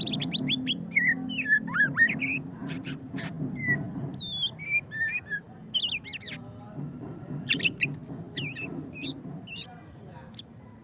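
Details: Murai batu pastol, the white-rumped shama, in ngeriwik song: fast, variable whistled slurs and twisting notes delivered in dense clusters with short pauses, a constant low droning hum underneath.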